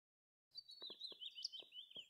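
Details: Willow warbler singing from close by in windy conditions: a sweet, soft warbled phrase that slides steadily downward in pitch over about a second and a half, with low wind thumps beneath.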